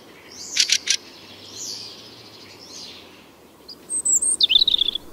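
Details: A Fieldfare in central Russia, among fieldfares chattering in chorus at night, gives a few harsh, rattling chatters, then a run of thin, squeaky high notes; the voice is scratchy rather than tuneful, over a faint low hum.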